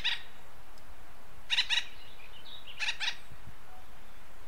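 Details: Acorn woodpecker in western North America uttering three bursts of raucous, doubled notes, with faint thin whistles and chatter between the bursts.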